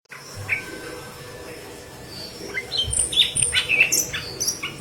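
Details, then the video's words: Yellow-headed leafbird singing intensely, kept as tutor song for green leafbirds; after a quiet start, a burst of high, sharp chirps and short whistles crowds the second half over a faint steady hum. "Burung Murai Daun Kepala Kuning Gacor"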